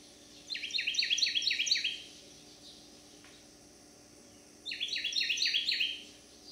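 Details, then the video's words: Loud, cheery backyard song of a resident male Carolina wren in Manchester, Missouri, recorded July 30, 2022: two bursts of fast, evenly repeated bright phrases, each lasting over a second, with a quiet gap and soft background hum between. "Carolina wren singing his heart out for joy"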